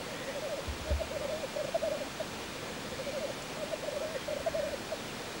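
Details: Male black grouse in lek display, a low bubbling rookoo delivered in rolling, pulsed phrases with short pauses between them, over a faint hiss and a brief low thump near the start.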